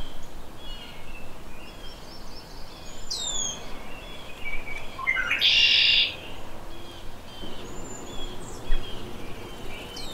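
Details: A red-winged blackbird sings its conk-la-ree to mark territory and draw females: quick introductory notes followed by one loud raspy buzz, while other birds whistle and chirp sparsely across the recording.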